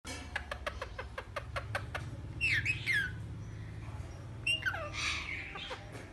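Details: A pet talking parrot, said to say "mian mithu", indoors; a run of sharp clicks or taps comes first, then two bursts of harsh, wavering squawky vocalisation with low background hum.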